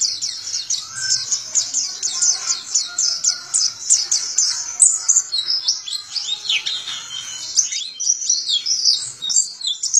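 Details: Kept white-eye (Zosterops) from Indonesia, prized as a contest and mimicry bird, delivers a long rolling song of rapid high chirps and slurred trills, some notes swooping downward, steady and unbroken.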